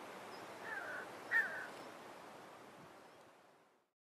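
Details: A pair of jackal buzzards calling as they spiral higher on a thermal until out of sight: harsh, drawn-out mewing cries of about a second, capped by a brief sharper squeal, against quiet open-air hiss.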